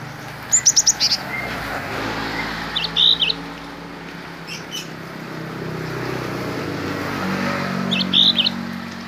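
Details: A Cinereous tit mastered with Bar-winged prinia song gives three short bursts of quick, high, sharp chirps spaced a few seconds apart over a steady low background hum.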